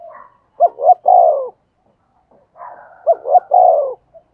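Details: Spotted dove decoy bird from Vietnam singing in the prized 'giọng thổ' voice style: a short hoarse lead-in, two quick hooked notes, then a longer falling coo, repeated twice in a clean, quiet setting.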